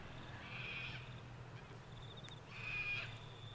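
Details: At Mt Coot-tha, Brisbane, Queensland, on 6 November 2022, sulphur-crested cockatoos give two grating, hoarse squawks two seconds apart, recorded with a Canon R7, over a thin high-pitched background whine and low rumble.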